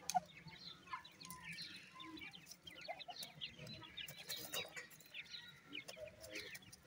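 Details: Francolin (teetar) chicks feeding after dark, a continuous twittering of soft, short chirps from many young birds, with occasional clicks and a faint low hum.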